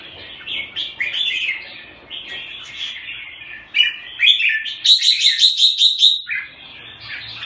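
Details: Red-whiskered bulbul (jambul) from Singapore: chattering warbled phrases building into a bright, rapidly repeated ringing note series, then settling into softer chirps.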